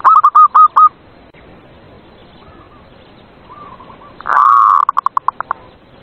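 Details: Zebra dove cooing at night to prompt silent doves to sing: a quick run of hooked coo notes, soft distant coos in the middle, then a long loud trilled note followed by a fast decelerating series of short notes.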